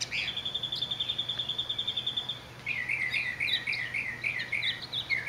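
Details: Northern Mockingbird singing in Orange, California, on July 18, 2009: a rapid steady trill of high notes for over two seconds, then looping warbled phrases sliding up and down; Western Kingbirds, House Sparrows and House Finches also heard.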